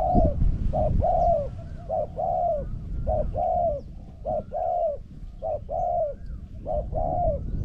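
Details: Decoy spotted dove against a wild dove that coos very well; steady series of short and longer mellow coo notes, alternating in a repeated rhythm about once a second, over constant low background rumble.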